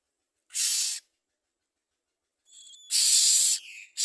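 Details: Common myna bringing food to its young: a short harsh hiss, a long pause, then faint whistled notes leading into a louder rasping hiss and a brief chattering tail.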